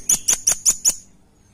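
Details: Five loud, piercing chip notes from a velvet-fronted nuthatch used as a lure, delivered rapidly and evenly within one second, then silence.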